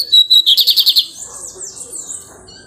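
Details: Lined seedeater, pirate song while nesting: a burst of about eight fast buzzy repeated notes at high pitch, then quieter thin twittering whistles fading out.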